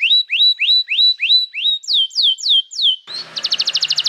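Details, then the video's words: Canary song used to teach young canaries and stimulate birds that have gone quiet: evenly spaced rising whistles, then descending sweeping notes, then a quick buzzy trill over a burst of background hiss. "Pancingan Suara Kenari Gacor‼️ Ampuh untuk Masteran Kenari Muda dan Terapi Kenari Macet Bunyi"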